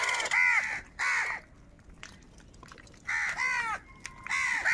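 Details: A crow, apparently among crows fighting over food, gives harsh, nasal caws in short bursts, about four rasping calls over five seconds with brief quiet gaps between them.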